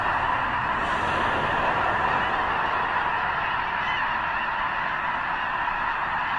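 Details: Huge wild flock of snow geese gathered near the eastern end of Potholes Reservoir before heading north to breed on arctic tundra; a dense, unbroken wall of overlapping nasal honks and yelps, many birds calling at once without pause.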